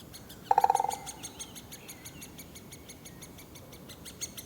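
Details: Drumming at the nest by a male great spotted woodpecker whose young are calling for food: a single rapid roll of roughly eight hollow knocks, fading over half a second, followed by faint high chick calls.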